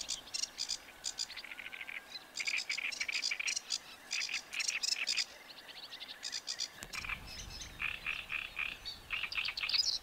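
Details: Great reed warbler, a reedbed bird with very loud song, sings harsh, croaking phrases with frequent "r" sounds, each grating note repeated two or three times in a steady, chattering run, with a brief low thump partway through.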